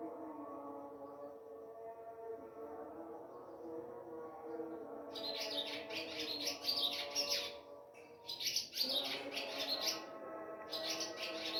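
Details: Ababil (swallow) chirping at a home in moonlight before dawn, at Sehri time, mobile phone recording; a sung Azan call to prayer fills the first seconds, then dense, high, twittering chirp bursts overlay the chant.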